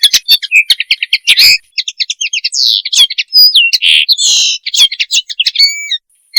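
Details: A common linnet gives its mating call. It is a long, lively twittering sequence of rapid chirps, rattles, sliding whistles and a buzzy note, ending in a clear level whistle, with no other noise.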